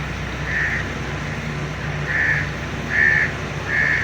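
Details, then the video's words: Grey francolin, known locally as teetar, calling: four short, clear, mid-pitched notes spaced unevenly about a second apart, each a brief shrill burst, over a steady low droning hum. "teetar ki boli | teetar ki awaaz | francolin voice | Partridge sound"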